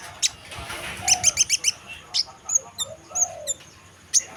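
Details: Chestnut munia in lively song, an initial high squeak, then a fast cluster of four high ticking notes, followed by sparse thin whistles; soft lower chirps from another bird in the background.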